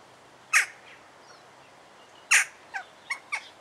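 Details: Juvenile Western jackdaw singing in Alkmaar, Holland: two loud, harsh chack notes about two seconds apart, followed by three quicker, softer clipped notes.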